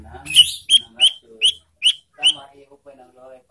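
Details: Ashy tailorbird call played as a lure to provoke and stimulate birds in breeding condition: six sharp, clipped notes at a steady quick pace, followed by soft low twittering.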